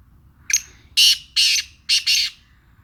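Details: A heavy-voiced black francolin of the Sindhi kind calls. A brief rising lead note comes first, then two long harsh rasps and a closing two-part rasp, loud and clear over low background noise.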